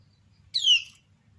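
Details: A single strong downslurred chirp from a female common iora, whose calls set other ioras answering; the note sweeps from high to lower pitch with rich overtones, lasting under half a second against near-silence.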